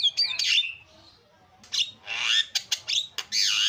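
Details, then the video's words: Javan myna in a loud, busy recording: a rasping squawk, a pause, then a run of clicks, harsh buzzy notes and a descending grating call. "SUPER BERISIK JALAK KEBO SUARA ISIAN"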